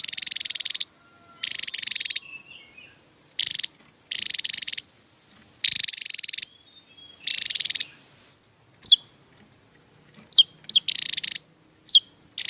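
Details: Javan tesia 'tembakan' song: a series of short, fast, pulsed high buzzy bursts with brief pauses, giving way later to isolated sharp, quick high chirps and short rattles.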